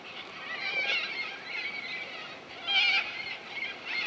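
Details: Flock of corellas at a lagoon on Coopers Creek near Innamincka, South Australia, calling from a distance; rasping screeches overlap in a steady chorus, with a louder burst near the third second.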